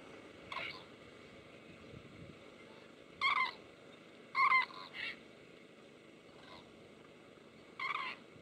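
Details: Cranes in Israel in March 2012; loud, rolling trumpeting calls come in short separate bursts, some in quick pairs, with fainter calls between them over a steady background hiss.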